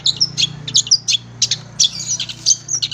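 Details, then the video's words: Cendet, the long-tailed shrike, in a tutor recording for kept birds: varied, irregular high squeaks, whistles and scratchy notes, spaced unevenly with short gaps, over a faint low hum. "masteran burung cendet"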